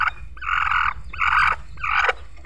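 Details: A bantam chicken, an Indonesian kate walik (frizzle) with a bare neck, starting to crow, gives three hoarse, strained calls, each about half a second long.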